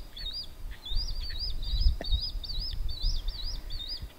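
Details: One of two fully grown young Swallow-tailed Kites at J.W. Corbett WMA, Florida, constantly begs from its parents with thin, high whistled notes that rise and fall almost without pause, over a low background rumble.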